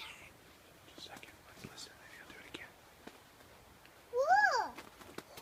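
An owl gives a single loud, rich hoot near the end, swelling up in pitch and then sliding down. Faint, hushed voices murmur earlier.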